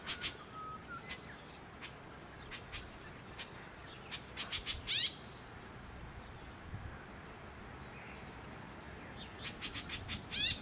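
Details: Sunshine Coast, Queensland, January 2021: a white-breasted woodswallow utters rapid clicking notes building into loud rasping chirps, in two main bursts about five seconds apart, with a brief whistle near the start.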